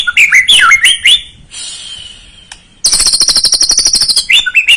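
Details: Song of a white-rumped shama used as a lure to excite a young bird into song, with looping whistled notes, a faint high-pitched hiss, then an extended harsh buzzing trill and a final run of twisting whistles.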